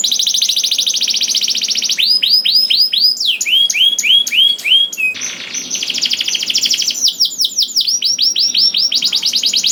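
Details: Canary song intended to stimulate other canaries into song: a buzzy trill, then series of quick arched whistled notes, a brief harsh burst, and further rapid sweeping phrases and rattles.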